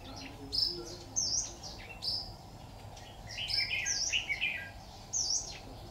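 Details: Red-whiskered bulbul calling as a lure at a bird trap, 26 October 2019; a run of high sliding whistles with a busier warbled phrase in the middle, quiet hiss beneath.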